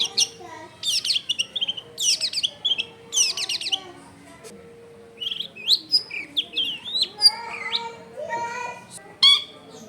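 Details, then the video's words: Long-tailed shrike singing an elaborate song packed with varied phrases, recorded at home in a densely populated area: rasping bursts alternate with clear whistled slurs, rising squeals and rapid chattering notes. "CENDET GACOR FULL ISIAN MEWAH"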